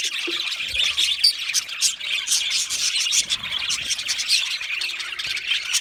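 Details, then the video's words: A flock of budgies keeps up busy chirping, with bright scratchy warbles and quick high tweets crowding over one another, plus a few sharper squawks standing out. "Australian Budgie parrot chirping sounds"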